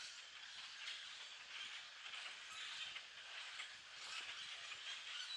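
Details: Common grackles, hundreds together at treetop level while foraging, pour out a continuous blur of squeaky, rasping calls that swells and eases slightly.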